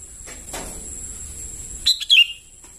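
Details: Sooty-headed bulbul chicks calling, a recording used as a lure: one short burst of sharp descending chirps near the end, after quiet background with a steady high whine.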